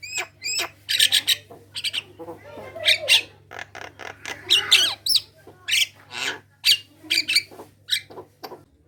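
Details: Javan myna singing vigorously, played as a lure to get other Javan mynas singing: a dense, varied jumble of scratchy squawks, chatters and short whistled notes over a steady low hum.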